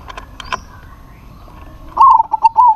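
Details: Calling a rival that replies, a local zebra dove delivers a crisp run of rapid cooing notes near the end, after faint, distant coos and a brief high squeak at the start.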